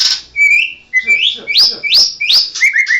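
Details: White-rumped shama, a national champion, in energetic ngerol song: a string of bright upward-sweeping whistles repeated about twice a second, ending in short falling notes.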